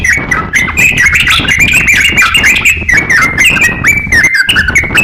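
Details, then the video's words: Crocok-cokan in vigorous song, used to train other songbirds: a loud rambling sequence of quick chirps and downslurred whistles, steady throughout with a faint gap near the end. "crokcokan gacor siap jadikan masteran kicauan"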